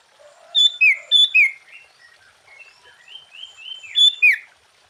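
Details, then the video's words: Sooty-headed bulbul singing a full-variation song used to lure and excite other bulbuls: two loud paired phrases of a high whistle dropping to a lower one, soft chattering notes, then one more loud phrase. "Suara Burung Kutilang Gacor KUTILANG FULL ISIAN Ampuh untuk menaikkan Mental EMOSI Kutilang Lain."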